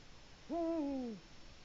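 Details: Eurasian eagle-owl at a nest on a live nest camera in Latvia, on an autumn evening, 1 October 2017 at 19:02. In autumn the male calls every evening to mark the area as theirs. One deep, steady hoot lasts under a second and drops slightly at the end, over quiet hiss.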